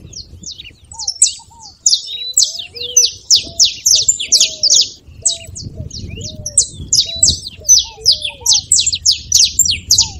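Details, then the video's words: Saffron finch delivering its song, meant to rouse a silent bird: a long, rapid stream of high, shrill, falling chips that builds in density, with faint low rising whistles at intervals. "canário da terra com belo canto pra foguea seu canário frio"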